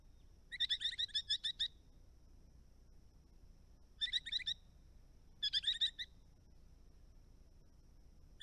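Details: Resident Eastern rosellas visiting ponds and dams on a property in Australia give bright, metallic notes in short runs: a long burst of about eight, then two shorter groups of four, with a faint steady high hum between.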